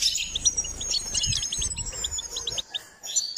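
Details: Goldfinch in training giving a quick series of high liquid chirps and tinkling notes, roughly evenly spaced, over a faint low rumble, ending after a short pause with a few more twitters.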